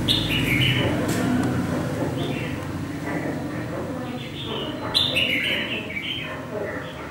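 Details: Red-whiskered bulbul, wild-caught and caged for three months, singing readily just after bathing: lively chirped and whistled phrases repeated in quick bursts, one loud sharp phrase near the middle, with low murmuring background noise throughout.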